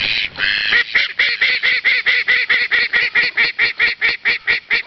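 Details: Duck giving a fast, even run of loud nasal quacks, about two per second, each a rich, ringing note with a clean pause between them.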